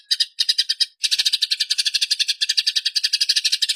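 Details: Fighting Eurasian tree sparrow, clearly recorded for songbird training: a short burst of chirps, a pause, then an unbroken rapid chatter of harsh, metallic notes.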